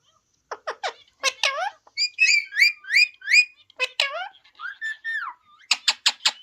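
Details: Ringneck parrot talking, possibly prompted by recorded parrot voices, in a mix of clipped rasping notes, bright whistled slurs repeated several times, a falling whistle, and a final burst of quick harsh pulses.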